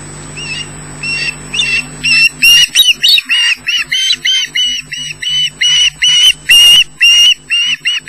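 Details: Osprey at the nest at Loch Garten, Scotland, fish-calling: a long series of loud, sharp, high squealing notes repeated about twice a second with uneven spacing, some notes rising at the end, after a faint low hum at the start.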